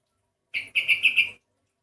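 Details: Sooty-headed bulbul with an unusual voice: one short note followed by four rapid pulsed chirps, a brief bubbly burst in silence.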